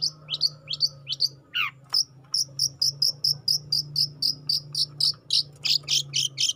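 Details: Juvenile long-tailed shrike singing in a lively, sustained burst: rapid high chirped notes repeated about four per second, with a sharp rising-falling sweep near the start and a steady low hum underneath.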